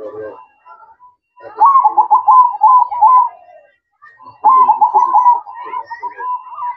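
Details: Zebra dove (perkutut) singing at night: bursts of rolling, bubbly coos near one pitch, two loud phrases separated by a short pause, with softer cooing between.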